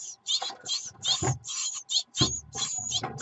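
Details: Great tit chicks begging as their mother brings food, 24 June 2019: hoarse, buzzy high calls in quick bursts, overlaid by heavy rustling and thumping movement in the nest.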